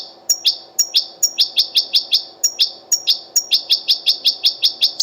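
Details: European goldfinch from the wild, linked to the Qurai'a Sunday bird market, giving its 'betbeta' song: crisp high chirps repeated about three to four times a second in steady runs, with brief ringing notes between groups.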